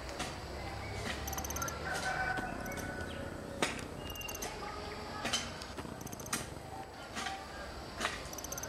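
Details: A female white-barred piculet calls at its nest in a dry mango tree in Cordisburgo, Minas Gerais, Brazil, giving very high, thin squeaky notes in short bursts every second or two, among sharp knocks and clicks, with a distant rooster crowing.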